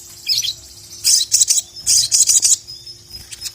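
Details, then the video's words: High, buzzy chattering from a ruby-cheeked sunbird singing hard to call a rival: a thin opening note, then two clusters of rapid, scratchy, very high notes separated by a short pause, ending with a few faint ticks. "KICAU SOGON GACOR MEMANGGIL LAWAN INI JITU BANGKITKAN EMOSI SOGOK ONTONG MANANPUN"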